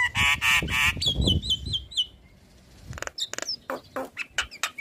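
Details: Black-winged starling, a caged bird singing prolifically with head-bobbing: loud harsh honking bursts open, then a chain of short rising whistles, followed by scattered sharp chips and whistled notes.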